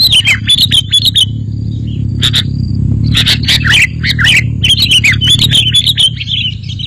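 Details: Sooty-headed bulbul twittering phrases and sharp chirps played as a lure, over a steady low droning background.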